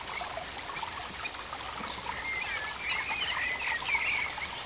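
Thin, high wavering whistles from a torrent duck rise over the steady rush of splashing water in the second half.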